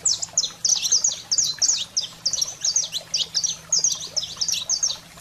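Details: Saffron finch singing, used to stimulate pet canaries: strong, rapid high chirps and downward-sweeping notes in close bursts, steady through the whole stretch, faint low hum.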